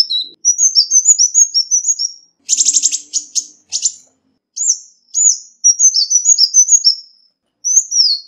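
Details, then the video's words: Ruby-cheeked sunbird calls used as a lure, cleanly recorded with no background noise: rapid runs of thin, high, slurred chirps dropping in pitch, broken by a short harsh buzzy burst near the middle, then more quick chirp series. "Tiếng chim Xanh tím mồi chuẩn mp3 không tạp âm| Ruby-cheeked Sunbird | นกกินปลีแก้มสีทับทิม"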